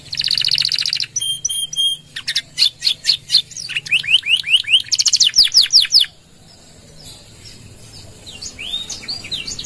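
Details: Canary in full gacor song with long 'nembak' shots and 'gereja' fill, used as bait and tutor for other birds: a buzzy trill, metallic clicks, fast rising and falling whistled notes for six seconds, then quieter scattered chirps.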